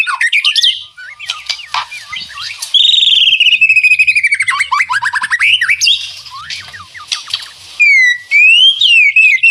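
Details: White-rumped shama singing in the rattling ngeretek style, birds answering each other; loud varied whistles, long sliding notes and rapid rattling trills, bright and high-pitched, with rising swoops toward the end.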